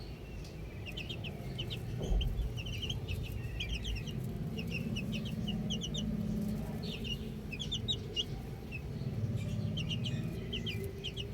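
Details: Young chicks outdoors chirping almost continuously, many overlapping high, short downslurred peeps in rapid irregular bursts, several birds calling together over a low background hum.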